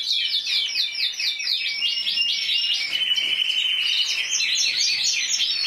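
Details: Intense yellow show canary, individual 2014 Spanish champion with 94 points, sings series of repeated swooping downslurred notes, then switches to quicker rolling trills.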